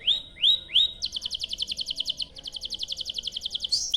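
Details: Canary in long, continuous song, used as a lure to get other canaries singing: three rising whistled notes, then a fast rolling trill of rapid chips, about six per second, pausing briefly before trilling again.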